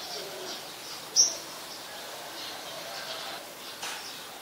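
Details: Olive-backed sunbird (Cinnyris jugularis), recorded at a home on 25 March 2021 around 4:45 PM, gives a single sharp, high-pitched chip, then falls silent against a steady soft background hiss.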